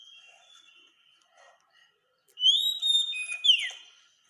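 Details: Oriental magpie-robin masteran used to teach caged birds: faint scattered notes at first, then a loud phrase of long clear whistles ending in a falling slurred note.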